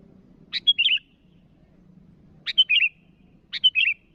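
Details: Sooty-headed bulbul calling rivals in three clean phrases, two close together near the end. Each is a sharp clip, a short pure whistle and a tumbling warbled ending, over a faint low hum.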